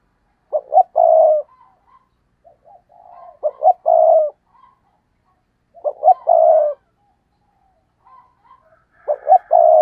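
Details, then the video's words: Four stuttering coo phrases from a spotted dove decoy, gù cà lăm style, used to provoke wild doves; each has quick stammered hoots and a long low coo, about every three seconds, with quiet coos between. "Gù Cà Lăm - Chim Cu Mồi Thúc Gù Kích Bổi Cực Nhạy"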